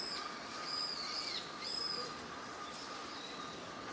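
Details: Eurasian wigeon among park ducks at Junsai-ike green area, Chiba, Japan, December 2025; sharp high whistles that drop at the end, several within the first two seconds, then fainter ones over a steady low hum.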